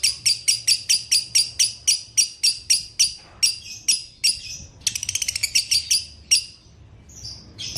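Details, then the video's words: Lovebird, used to prompt a kept lovebird to start calling again: a steady run of piercing high chirps about three per second, then a short rapid stuttering trill and a few scattered notes. "Putar Suara ini agar LB anda akan kembali Bunyi"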